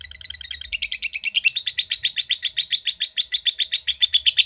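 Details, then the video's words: Long lovebird chatter in the 'ngetik' 'ngekek' style. It starts softly, then jumps into loud, rapid, slightly rising and falling high notes repeated about four times a second. "Love Bird Ngetik Cara Cepat Memanggil Love Bird Agar Ngekek Panjang"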